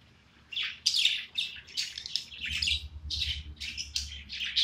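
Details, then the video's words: A pet budgerigar sings contentedly: continuous fast chatter of high squeaky chirps, clicks and whistled notes with varied pitch, over a soft low hum in the background. "My super duper unique parakeet singing"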